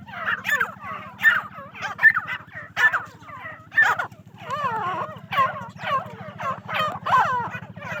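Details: Captive female grey francolin (teetar) on a Pakistani farm, with a busy run of short, harsh, rising-and-falling notes repeated over eight seconds by overlapping birds, and a continuous low hum underneath.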